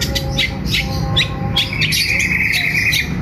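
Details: Morning song of a caged long-tailed shrike set outdoors: quick sharp chirps at about two and a half per second, then a drawn-out buzzy rattle, over low background hum.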